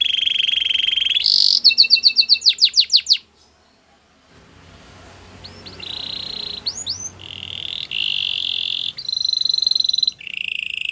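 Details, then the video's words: Canary singing a buzzy trill and a quick pulsed rattle with rising strokes, then a few seconds of quiet. Rolling trills follow, with brief rising whistles and level tones shifting in pitch. "Canary bird sounds | Your canary will sing a lot"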